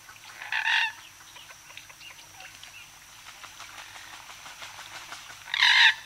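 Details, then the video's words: Moorhen calling: two short, harsh, nasal bursts about five seconds apart, with faint soft chatter and ticking in between over a quiet background. "Moorhen. Mc-MCU Calls"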